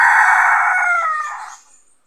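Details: Crow of a red junglefowl rooster recorded while trapping wild males with a decoy rooster in the Philippines, a loud drawn-out harsh note slowly fading away over two seconds.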